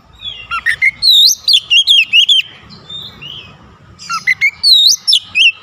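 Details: Oriental magpie-robin facing off against a rival in loud song: two bursts of varied whistled and chirping notes separated by a brief lull, over a faint low rumble.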